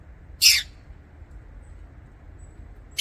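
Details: One loud, harsh, shrill chirp from a lovebird in an aviary, followed by near silence with a faint hum, and the start of another chirp cut off at the very end.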